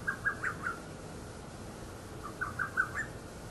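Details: Lesser cuckoo, heard calling both day and night, recorded in PCM: two quick bursts of four or five sharp, clipped notes each, the second burst after a short pause, over a quiet hissing background.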